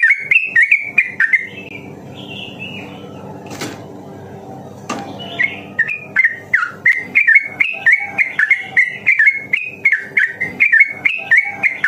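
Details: Sooty-headed bulbul singing fast and long as a daily training recording to stimulate other bulbuls: opening whistled notes, a few seconds of soft rushing noise with two sharp clicks, then a dense run of bright whistles.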